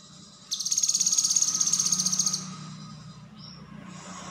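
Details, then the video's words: Lemon-bellied white-eye (cucak kinoi) giving a high, fast, stuttering trill of about two seconds, then a couple of short thin notes over a low background hum. "Cucak Kinoi Konslet"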